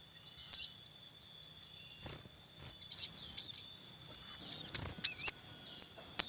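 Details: Male Javan munia calling in the wild while breeding, with young at the nest: spaced high, thin chirps that grow denser, ending in a cluster of louder, curving cuit-cuit notes.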